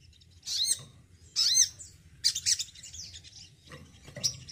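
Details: Captive male crimson sunbird singing frequently, giving separate bursts of very high, sharp, sweeping chirps about once a second, some notes rising and falling, over a quiet low background rumble.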